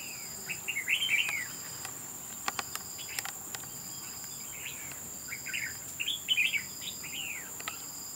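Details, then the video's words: Red-whiskered bulbul, a wild bird caught up in a trap fight, gives two bursts of loud, bubbling, slurred chirps separated by a pause, against constant shrill insect drone and occasional clicks. "Bẫy đấu chào mào"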